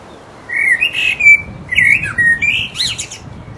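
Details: Resident blackbird in full voice, pouring out its mating song as a continuous flow of mellow, fluted warbles, each phrase tipped with thin, high twittering notes.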